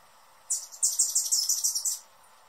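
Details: Quick run of thin, piercing chips from a hummingbird, roughly ten squeaky notes in under two seconds, rising in strength after a short opening note, then stopping abruptly in near silence.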